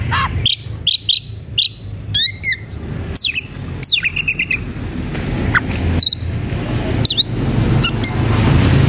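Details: Agitated White-rumped shama singing while seeking a rival to fight, a lure to provoke other shamas. Loud whistled notes, sharp upward flicks and swooping slurs come in quick bursts over steady low rumbling background noise.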